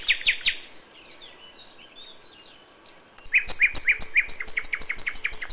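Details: A common nightingale at dawn in May sings three quick sharp notes, falls quiet with faint distant twitters behind, then bursts into a long series of loud, rapidly repeated, ringing notes.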